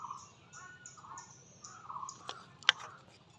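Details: Indian ringneck parakeet, described as a talking parrot, gives a series of short nasal, buzzy vocal bursts at a steady pace of about three per second. A few sharp clicks and thumps follow near the end over a low, steady background hum.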